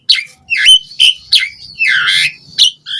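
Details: Asian pied starling singing vigorously with varied phrasing: a run of loud, harsh, chattering notes and squeaky whistles in short bursts roughly every half second, followed by a longer scratchy phrase and a final rising whistle.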